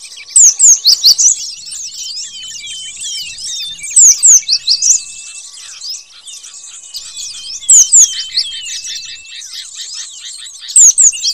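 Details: Cinereous tit calls, bursts of sharp, high notes every few seconds over a dense chatter of small birds, used as a lure recording for trapping tits.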